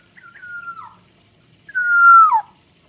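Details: Black-naped oriole, called kepodang hutan: two clear fluty whistles, each held level then sliding downward at the end. The second is louder and longer. Background is quiet.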